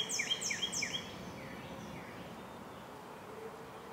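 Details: American robin (Turdus migratorius) at a nest where baby birds are being fed: three quick, thin, high chirps sweeping upward in the first second, then a few fainter echoes over a steady background hiss.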